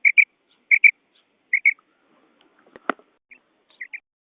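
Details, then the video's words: Female quail from Uzbekistan for hunting: three quick paired two-note calls, a short thump in the middle, then one more pair at the end. "Urg'ochi Bedana Ovozi 2026 | Ovchilik | Uzbek Quail Sound / Batair Sound"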